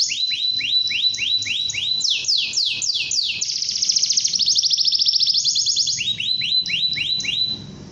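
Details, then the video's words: Canary singing to draw young canaries into song: repeated rising chirps, then loud descending sweeps, a quick buzzy trill, and a return to rising chirps, all high-pitched and continuous. "kenari gacor panjang | Memancing kenari muda agar cepat gacor"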